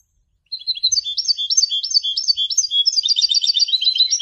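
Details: Goldfinch singing, a song used for song training and education: a fast, continuous, high twittering run of tinkling notes that jump up and down, becoming denser and more trilled toward the end.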